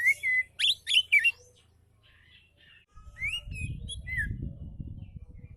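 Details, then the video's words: Oriental magpie-robin singing relaxed phrases meant as tutor material for lazy singers: a few loud, quick whistled sweeps at the start, then softer scattered whistles over a low rumbling background. "KICAU KACER SANTAI COCOK BUAT MASTERAN KACER MALAS BUNYI"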